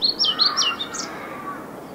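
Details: European pied flycatcher singing at Viertola, Vantaa, Finland, on 6 May 2012: a quick burst of high, sharp, down-slurred whistled notes, then a brighter upward note, fading into faint background hiss.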